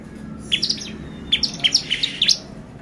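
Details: Bar-winged prinia song used as a lure to excite other birds: short sharp chirps between two and four thousand, spaced irregularly, some paired, over a faint low hum.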